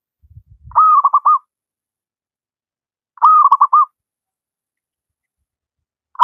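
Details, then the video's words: Local wild zebra dove singing steadily, used as a master recording for training lazy doves: two cooing phrases about three seconds apart, each a held note then a quick stutter of rolling notes; faint low thumps before the first. "Burung perkutut lokal alam gacor"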